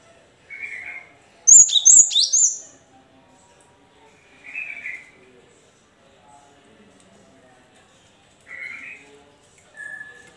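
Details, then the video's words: Cinereous tit lure song for silent caged birds: a burst of high whistled notes falling into buzzy lower tones, among several softer, lower chirping sounds spaced a few seconds apart. "pancingan gelatik batu macet bunyi biar gacor sahut sahutan"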